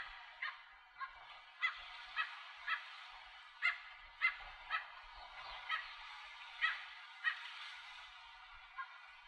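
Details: A Bridled Tern calls from its nest with a chick at Arecibo, Puerto Rico, in 2015: harsh, nasal yelping notes, about fifteen in nine seconds at an uneven pace, over a steady background hiss.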